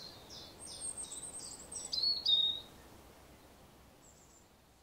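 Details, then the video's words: A European robin sings in the morning, giving a quick run of thin, high, wavering warbles and trills, then a pause before one faint high note, over a soft outdoor hiss. "Morning Robin Birdsong"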